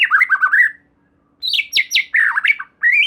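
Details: Lure song of a white-rumped shama (murai batu) used to set another shama singing: a run of warbled low phrases, a brief silence, then sharp rising whistles and scratchy mixed notes.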